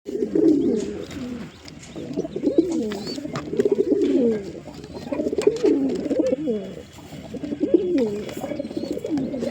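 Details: Pigeons cooing together, with low throaty rolling coos that overlap continuously and swell and fade in waves, in a room-like acoustic.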